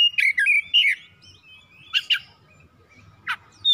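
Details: Captive oriental magpie-robin (kacer) song used to provoke singing. Short whistled trills at the start, then a few isolated sharp double chirps separated by quiet stretches with a low hum.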